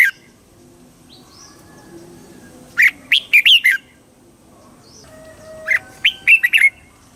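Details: Red-whiskered bulbul in Thailand, southern master-style song meant to excite birds and train young birds. Two separate loud phrases of four or five quick, rolling, slurred notes each, spaced by quiet pauses with faint distant whistles.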